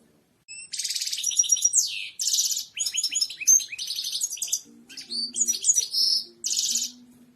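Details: Goldfinch song played for teaching birds to sing: after a brief silence, rapid phrases of buzzy, bell-like twittering and downward slurred notes run almost continuously, with a faint low hum near the end.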